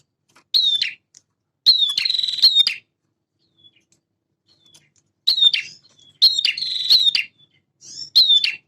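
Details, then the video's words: Vigorous song from a male prinia, said to fall between prenjak semi and prenjak klawu: short sharp high notes and longer buzzing rattles, repeated in clusters with pauses of a second or more. "PRENJAK JANTAN GACOR"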